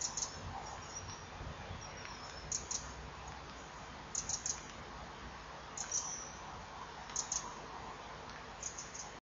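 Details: At 13:37 on 25 October 2015, a male common kingfisher on a perch by a pond loudly calls at a juvenile to drive it away before chasing it: shrill, high piping notes in quick pairs, about every 1.5 seconds, over a steady hiss.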